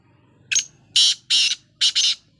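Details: Black francolin calling while dust bathing: a harsh, grating phrase of a short opening note and then four loud rasping bursts, the last two close together, over quiet background.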